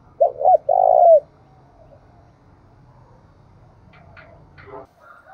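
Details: Spotted dove in the Đồng Nai hills of Vietnam giving a single phrase of two quick rising notes and a long falling coo, followed by faint chirps from other birds and low background rumble.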